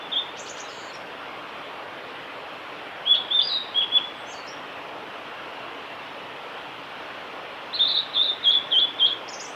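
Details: At Lake Miyagase on the Kanazawa forest road, Japan, on 5 May 2018, a male blue-and-white flycatcher sings short whistled phrases several seconds apart, the last a rapid string of about six even high notes, over continuous hiss.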